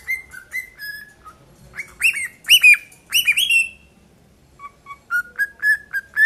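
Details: Two tame 7-month-old cockatiels singing a run of clear whistles, slurred chirps and rising notes.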